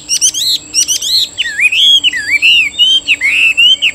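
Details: Captive Chinese hwamei offered for sale and praised as a fine singer, with a stocky body and brownish wings and tail; loud clear whistled song of rapid rising and falling slurred notes, opening with quick stacked chirps.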